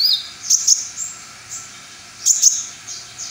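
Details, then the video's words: Brown-throated sunbird, known locally as konin, singing; very high, thin chirping bursts in short paired clusters, separated by pauses of about a second and a half. "konin MR Wiwid full materi"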